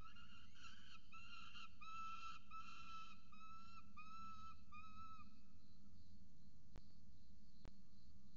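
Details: Peregrine falcons, a chick with its mother, at a camera-monitored nest in Orange, Australia, give a run of about eight harmonic, slightly wheezy calls in five seconds. Quiet hum follows, with two sharp clicks.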